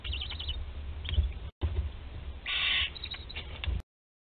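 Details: Barn owl nest in Théding on 20 July 2020, a 13-day-old chick swallowing a whole prey item; faint high chitters and clicks, a brief dropout, then a rasping hiss of about half a second.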